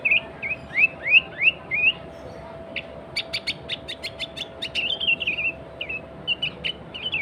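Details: Sooty-headed bulbul in lively song, an original recording meant to call rivals and lure wild bulbuls: a run of rising whistled notes, then a burst of quick clicking notes, then further short whistles.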